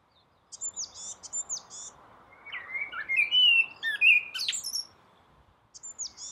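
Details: At dawn a common blackbird sings from a roof, opening with thin, very high repeated notes before a mellow warbled phrase of fluted whistles and squeaks, then brief high notes again.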